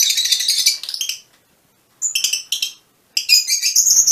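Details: Fischer's lovebirds, mutation birds, give a shrill twittering run, then a silent gap and short squeaky bursts of chatter.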